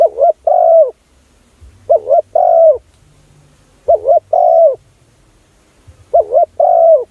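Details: Spotted dove call used for luring doves: four even phrases roughly every two seconds, a fluttering two-note coo then a held, gently falling coo, over a faint low hum.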